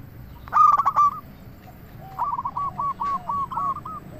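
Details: Local zebra dove used to lure other doves: a loud stuttered phrase ending in a clear coo, followed by a run of six softer evenly spaced coo notes.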